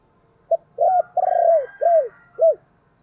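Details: Decoy spotted dove calling in a clear close sequence: brief opening note, two drawn-out arched coos, a third bending coo, then after a gap one last short coo, with faint low background murmur.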